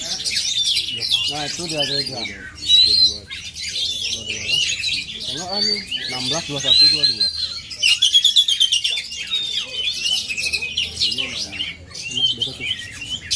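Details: Oriental magpie-robin of Aceh stock singing: high, varied whistles, sharp chips and rattling trills in quick bursts, with a few clear pure whistled notes, interrupted by brief lower voices or harmonic sounds in the background.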